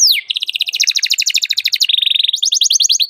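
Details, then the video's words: Lively caged canary in full song, calling a rival and used to teach young canaries to sing: a falling sweep opens into fast, high, rattling trills that shift pitch through three sections. "KENARI GACOR CUIT CUIT MEMANGGIL LAWAN BIKIN EMOSI"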